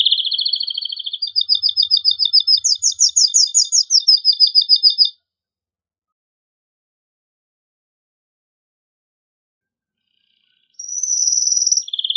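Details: Male canary singing hard to encourage pairing and mating: rapid trills stepping up and down in pitch for five seconds, long silence, then another trill resumes.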